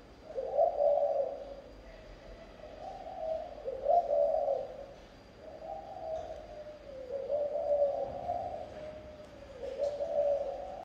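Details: Spotted dove giving thổ âm style song, low mellow cooing phrases repeated roughly every two to three seconds, each a rolling hoot with a short stressed ending, steady and unhurried in a quiet setting.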